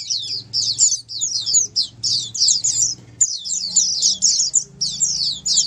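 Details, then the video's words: Several Oriental white-eyes in a lively chorus intended to get silent caged white-eyes singing; clustered high, sweet twitters repeating rapidly with short gaps between groups. "Dengar Suara Pleci Ombyokan ini pasti nyaut burung pleci anda"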